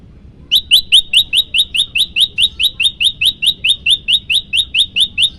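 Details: Yellow-bellied prinia recorded to stir up other birds: a long, steady run of more than twenty sharp, upslurred high chips, evenly spaced at roughly two per second, with quiet background.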